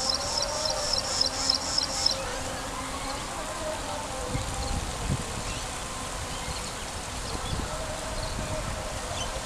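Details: In Sharjah, a graceful prinia gives a quick run of six thin, high notes over two seconds, then falls silent against a steady background hiss and low rumble.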